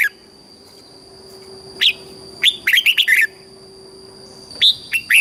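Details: Red-whiskered bulbul from Thailand, southern master-style song used to stimulate birds: isolated sharp notes, then a rapid bubbling phrase, and more sharp notes near the end, over a steady hum.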